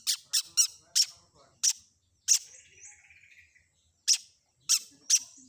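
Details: Long-tailed shrike song used as a training recording mixing in other imitated phrases: sharp harsh broadband notes in irregular bursts, with a soft warbled passage in the middle and short pauses between notes.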